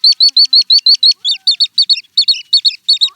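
Little stint song: a fast run of thin, high squeaky notes, about five per second, turning into doubled, twittering phrases. No other sounds.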